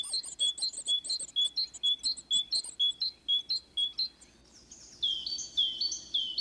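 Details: Great tit, a forest bird of Russia, sings a brisk run of bright, ringing paired notes, about two per second, followed by a short burst of higher, slurred, descending notes.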